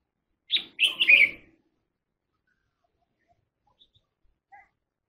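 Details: Red-whiskered bulbul giving one brisk phrase of three bright, warbled notes, followed by near silence and a tiny faint chirp.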